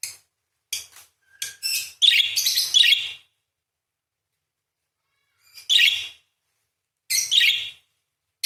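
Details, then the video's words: Parakeet singing in the Indonesian gacor style, long 'nembak' and 'beset crecet' chattering: harsh, buzzy, high chirp bursts, first several short notes, then a long rasping run, then two more separate scratchy bursts after silence. "PARKIT GACOR !! full materi nembak panjang beset crecet roll basic dasar murai // parakeet bird call"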